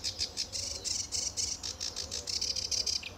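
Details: Lively sedge warbler at RSPB Fowlmere, July 2013, singing in early morning sunshine: a fast, harsh, buzzy chatter of high grating notes, delivered in a steady stream with slight changes in rhythm.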